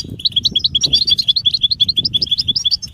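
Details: European goldfinch 'batbata' twitter, mating and readiness calls meant to prompt a silent male to sing: quick bright high chirps, several per second, each a short rising-falling note in a steady tinkling run, over faint low rumble.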